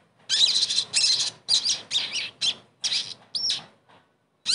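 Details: Sogon bird song used as therapy to make a bird that has stopped singing sing again; harsh, buzzy high chattering bursts in short phrases separated by brief pauses, ending with a looping whistled note.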